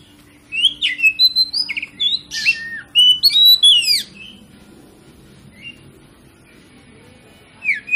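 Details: Oriental magpie-robin (kacer) singing a lure song used to stimulate other kacer to sing. Bright, varied whistles and sharp slurred notes tumble quickly for about three seconds, then silence with a faint hum and one last short whistle at the end.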